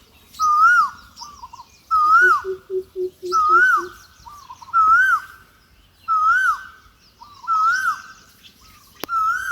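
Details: Birds around a little rice-field hut in the shade of a tree on a sunny, windy day: repeated whistled swooping notes, each followed by short softer notes, plus a brief series of low, rapid piping notes.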